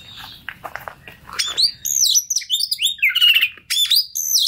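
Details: Oriental magpie-robin song as a lure for a stressed bird: faint clicks at first, then bright looping whistles and sweeping high notes repeated rapidly.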